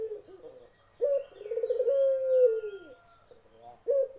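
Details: Barbary dove cooing: a burst of rolling, pulsed low notes flows into a long, smooth hooting coo that slowly falls away, then another coo begins near the end; faint higher bird chirps sit in the background.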